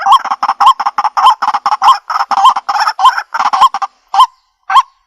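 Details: A white-breasted waterhen recording played through a Bluetooth speaker gives a rapid run of harsh, nasal, honking croaks, several each second, then slows to a few spaced notes at the end.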